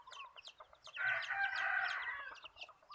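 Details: Rooster used as a decoy for trapping birds, giving a moderately distant, harsh, sustained crow in the middle of the clip. Rapid high chirps and twitters from other birds continue around it.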